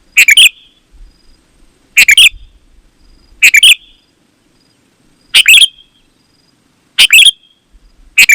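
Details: Sooty-headed bulbul delivering short, rich, bubbling phrases, each about half a second, roughly every one and a half seconds with quiet gaps; meant to draw wild bulbuls and make caged ones answer.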